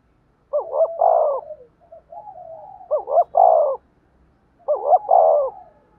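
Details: Spotted dove call for training decoy birds: three strong cooing phrases, each a quick double coo and a long, slightly falling note, with low soft hoots between.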